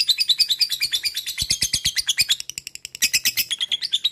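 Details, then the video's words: Lovebird recorded as stimulus material so another lovebird will sing keenly and 'ngekek'. A fast, continuous chattering of high, scratchy chirps runs without pause, with a slightly lower, rhythmic pulsing stretch midway. "PELATIHAN/PANCINGAN LOVEBIRD bahan agar rajin bunyi dan mau ngekek"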